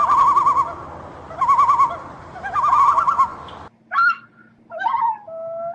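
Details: A bird repeats a wavering, trilled call three times at a steady mid pitch over steady background noise, then gives several short, clearer whistled notes after a brief pause.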